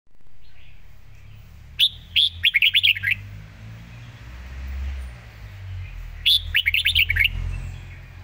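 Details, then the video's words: Red-whiskered bulbul singing in the rapid 'pak wai' (quick-mouth) song style: two bursts of fast, bubbly whistled notes, about a second each, separated by a pause, over a steady low rumble. "สายเพลงโซนห้ามพลาด"ทีเด็ดเพลงโซนปากไว เพลงรัวๆ"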